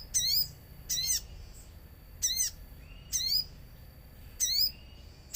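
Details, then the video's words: Lure song of a common iora with nature sounds: loud, ringing chirped phrases of sweeping notes, spaced about one second apart over a quiet background. "Pancingan sogon agar bunyi | sogon gacor suara alam | di jamin langsung nyaut"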